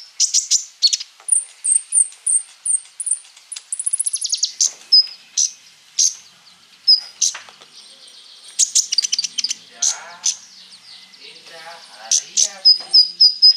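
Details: Konin in constant song with a full repertoire, played to draw responses from sunbirds: rapid series of high trilled notes, sharp ticks and thin whistles, with some lower chattering late on.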